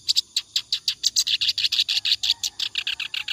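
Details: Continuous song of a clamorous reed warbler, meant as tutor material for other cage birds: a fast, unbroken series of scratchy, chirping notes, about three per second, steady in pitch and loudness.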